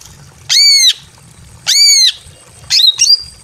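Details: Greater green leafbird female calling a male while in breeding condition, in a simple aviary: two long, harsh, harmonic squawks followed by two quick strident notes, low hum in the background.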